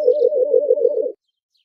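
White-eared brown dove giving a low, hollow cooing in a quick even string of about seven or eight pulses in just over a second, then silence.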